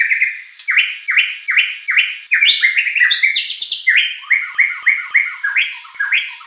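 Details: Song of a white-rumped shama, meant to stir a contest bird into singing back: series of sharp downward-sweeping whistles at a steady quick pace, a brief tangle of higher varied notes in the middle, then more repeated slurs.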